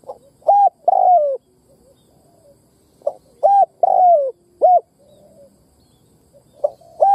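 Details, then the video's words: Captive decoy spotted dove giving repeated phrases of a brief coo, a long descending coo and a short clipped note, with faint soft murmurs in the pauses. "Cu mồi đất kích bổi nghe là gáy"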